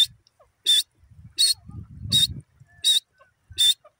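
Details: Francolin (teetar) repeating a sharp, high, rasping note about every 0.7 seconds, five times, over faint low murmuring noise.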